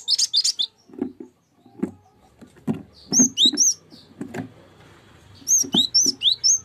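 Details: Cinereous tit lure song meant to prompt other birds to sing: clear, high whistled notes that slur downward, repeated in quick sets of three or four, among dull low knocking sounds.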